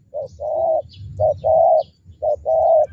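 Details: Spotted dove with a strong rolling 'thunder' voice, kept as a lure bird for fighting males: three paired coos, each a short note followed by a longer steady hollow coo, evenly spaced, low rumble behind.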